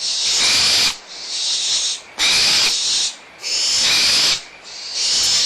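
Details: Young barn owls at Audubon Starr Ranch Sanctuary, excited and squabbling over leftover food while the mother is nearby: five harsh hissing screeches, each about a second long, separated by short quiet gaps.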